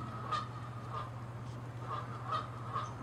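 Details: Canada geese in a territorial fight, a quick run of short nasal honks about every half second, evenly spaced, with a steady low hum behind.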